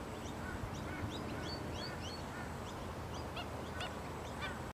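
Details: Black-winged stilts giving short, nasal, yelping calls repeated irregularly, several voices overlapping, over steady low rumbling background noise.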